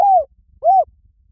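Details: Spotted dove sound used as a lure: two separate arched coos, each about a fifth of a second, rising then falling, with a short gap between them.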